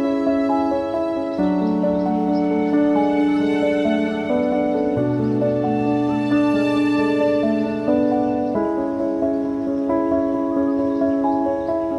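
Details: Soft, sustained instrumental music with slow chord changes and no animal calls.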